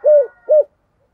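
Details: Decoy spotted dove with a 'giọng thổ' style voice, heard as two mellow, slightly falling coos in quick succession, then silence.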